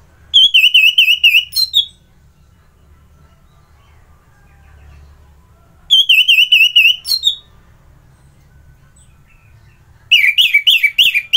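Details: In Bali's Singaraja area an Orange-headed thrush sings in the morning. Rapid trilled strings of wavering whistled notes last about a second and a half, repeating every four to five seconds with silence between.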